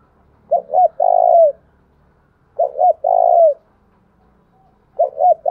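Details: Spotted dove cooing meant to provoke rival males: three phrases, each two short rising notes then a long, loud, falling coo, repeated about every two seconds in a quiet setting.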